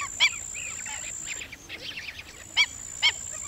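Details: A Black-winged Stilt (Himantopus himantopus) gives sharp, nasal yapping notes, single or paired, with softer chattering between, over a steady high hiss.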